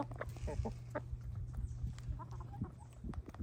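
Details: Backyard hens enjoying a winter snack, uttering rapid soft clucks and brief squeaky notes in quick succession, with pecking sounds and a low background hum.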